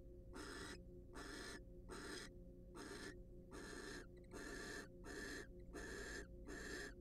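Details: Wild barn owls at a monitored nest box during a preening and courtship session, giving harsh, broadband hissing screeches about half a second long, repeated roughly every 0.8 seconds, over a steady low electrical hum.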